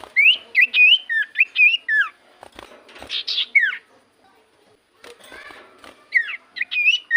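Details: Common iora song for luring other ioras into answering: a fast string of bouncing, looping whistles, then a rough burst and a falling whistle, a pause, then more looping whistled notes.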